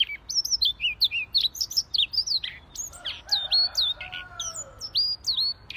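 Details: Si leher merah, the Siberian rubythroat, in continuous gacor singing: clear high whistles, downslurred notes and sharp chirps follow one another without a break, with a soft lower hum in the middle.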